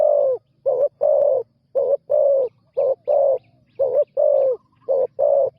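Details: Spotted dove cooing steadily during a new bird's first training session on the ground: a run of about five short-long coo pairs, even and low, each phrase ending slightly falling.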